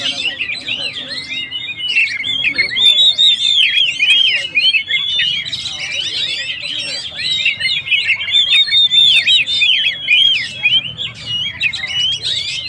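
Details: Kacer, Oriental magpie-robin, in full song meant to stir up stressed birds: rapid chain of varied whistles, chirps and slurs, loud and unbroken across the whole stretch, phrases tumbling into one another.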